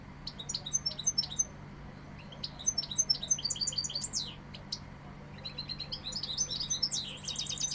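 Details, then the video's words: European goldfinch, Sevillian, singing in short bursts of high liquid chirps and twitters separated by brief pauses, ending in rapid rattling phrases, over a low steady hum. "Jilguero sevillano"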